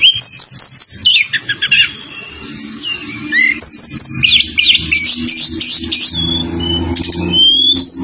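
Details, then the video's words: Lure song of tledekan gunung to make other birds sing, with quick chirp series and rapid clusters of slurred whistles over a steady low background hum. "Masteran dan pancingan tledekan gunung nembak ngerol rapet negen,tledekan males bunyi 100% nyaut"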